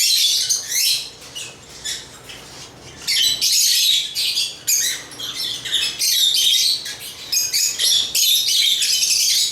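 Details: African lovebirds chirping in dense, shrill bursts, harsh high chatter sustained for stretches with brief quieter gaps, several birds calling over one another.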